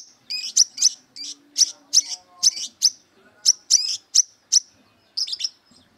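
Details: Brown-throated sunbird in aggressive, fighting mood, seeking rivals: high, sharp chirped notes near the top of the range, delivered in quick bursts of two or three with short pauses, some faint low tones beneath.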